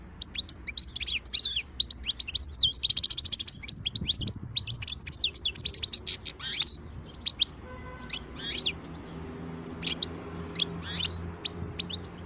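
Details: Wild-caught European goldfinch, freshly trapped, delivering khalawi-style song: a long stream of quick tinkling notes, chattering trills and slurred whistles with brief gaps, all high-pitched, over a soft low background hum.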